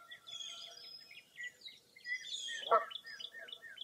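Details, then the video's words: Early April, foggy morning, Mirror Lake State Park, Baraboo, Wisconsin: a chorus of high chirping and short rising notes repeated steadily, interrupted by a single brief honk near the end. "Birding By Ear at Mirror Lake State Park"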